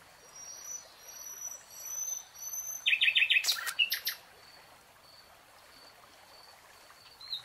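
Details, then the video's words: Nightingale singing in a lush green forest: a burst of rapid repeated notes, then a short buzzy stutter between quieter passages. A faint steady high tone runs in the background. "NIGHTINGALE song"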